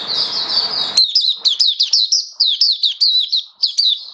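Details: Caged oriental white-eye singing a fast series of high, sharply slurred chirps, about three per second, after a second of broad rushing noise at the start; recorded 21 October 2022.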